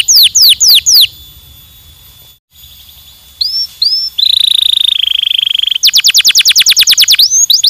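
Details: Canary stimulating song opening with falling whistles, a brief gap, then upslurred notes, a steady buzzy roll, and a fast run of descending trilled notes.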